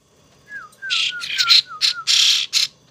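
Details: Young hand-raised pet starling, a gift being tamed and cared for, giving loud raspy, broadband bursts in quick succession, mixed with a series of short, clear descending whistled notes repeated about every quarter second.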